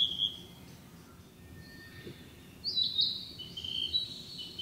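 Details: Narcissus flycatcher, a summer breeding bird, singing in woodland: a short whistle, then quiet, then a louder run of high warbled and trilled notes near the end over soft background noise.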